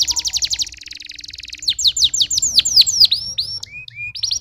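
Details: Canary delivering a quick trill of repeated notes, then louder sharp descending chirps about five per second, a few upward-curving notes and short level whistles, ending in another fast trill.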